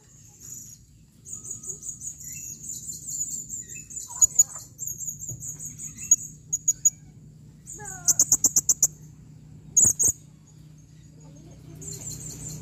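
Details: Female blue-crowned hanging parrot calling in 2021: a long stream of thin, very high buzzy twitters, a brisk burst of rapid clicks around the middle, and more shrill notes later, over low background hum.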